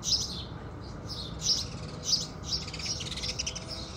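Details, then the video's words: Sunrise song of house sparrows, a few separated high chirps early on, then a denser, softer twittering cluster toward the end, with a gentle low background hum. "Sparrows Singing"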